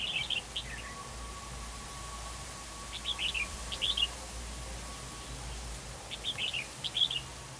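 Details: Red-whiskered bulbul used as a decoy at a trap during a territorial fight, giving short warbled phrases around three to four kilohertz in three bursts separated by pauses, over steady low hum and a faint background tone.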